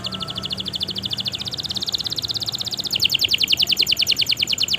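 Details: Long canary song used as a lure to spur reluctant canaries into singing: a steady, rapid trill of high, repeated notes, about three per second, that jumps louder and brighter partway through, over a faint low hum.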